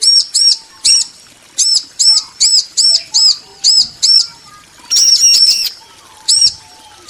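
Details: Two bar-winged prinias, a male and a female, exchange clear arched chirps in doublets and short runs with pauses between. A soft low murmur sounds in the background.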